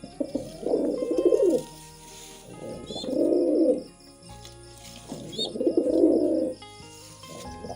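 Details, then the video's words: Pigeons during mating, giving three low, throaty, warbling coos, each about a second and a half long and spaced roughly every two and a half seconds, over faint steady background tones that sound like music. "Pigeon Sound Effect || Pigeon Mating"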